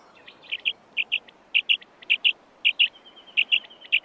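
A quail gives sharp, liquid, high notes in quick pairs, each pair after a soft lead-in note, repeating about every half second.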